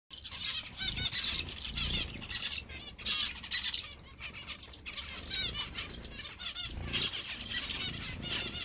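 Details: Captive zebra finch chicks begging for food while a parent bird goes through a pretend feeding: dense, high, raspy chattering in repeated surging bursts, mixed with fluttering wing and rustling noises.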